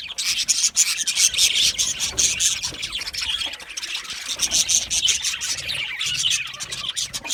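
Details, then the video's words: Budgerigars, Australian parakeets, chirping when content: a dense, continuous flock chatter of high, scratchy chirps and squeaks with no pauses. "Budgie parrot chirping sounds"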